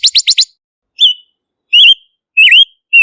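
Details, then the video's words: Silver-eared mesia, locally Ngũ sắc, giving a quick burst of four chattering chips, then four slurred whistles that waver and dip, spaced roughly every two-thirds of a second in a clean recording. "Tiếng chim Ngũ sắc mồi không tạp âm | Kim oanh tai bạc | Silver-eared Mesia"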